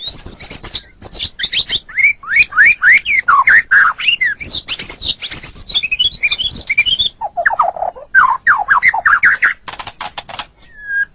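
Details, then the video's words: White-rumped shama song played as a tutoring recording for pet songbirds: a fast, varied run of bright slurred whistles, rising and falling sweeps and short chattering notes, nearly continuous for eleven seconds, ending in a lower flat whistle. "Suara Burung Murai Batu"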